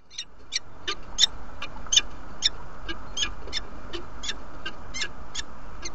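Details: Female peregrine falcon arriving at the nest in Derby, UK, on 17 February 2017 at 07:47, inviting: a rapid series of sharp, harsh, harmonic calls repeated over a steady background hum.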